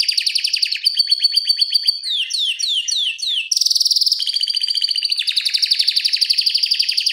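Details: Long rolling canary song used as a tutor recording for other canaries: fast repeated trills, a run of descending slurred notes in the middle, then a bright high trill and steady rapid rolls.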